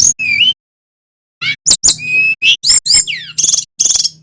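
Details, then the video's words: Brown-chested jungle flycatcher, a Bali male in continuous song, in a lure recording for other birds. Varied whistles, sharp chips, downslurs and buzzy trills in quick succession after a short pause, with a faint low hum underneath. "Suara Sikatan rimba dada coklat bali GACOR PIKAT"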